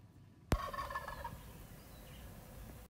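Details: Wild turkey calling during a morning visit: after a brief quiet start comes one sudden gobble, a fast burst of rolling, guttural notes lasting about a second. Low background rumble follows.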